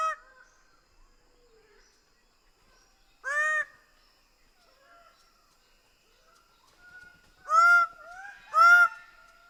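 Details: Greater bird-of-paradise giving scattered loud honking calls, one near the middle and a close pair at the end, with quieter softer notes and faint background sounds between them.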